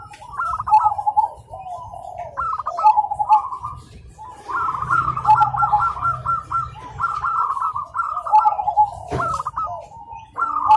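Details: Several zebra doves singing together in the morning, answering each other: repeated bursts of rapid stuttering coos and soft rolling notes, phrases overlapping almost continuously, a low hum in the background.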